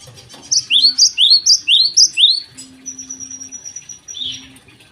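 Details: Java sparrow singing in the morning, used as a lure for untrained birds: four rapid rising-then-high note pairs, then a long thin steady whistle, a low hum and a brief burst of twitter.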